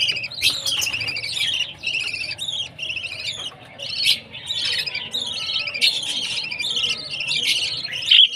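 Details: Baby budgerigar at food time, a dense run of high, harsh chirps and squawks with downward-sweeping notes, several overlapping, nearly continuous through the recording, with some clicking in the background.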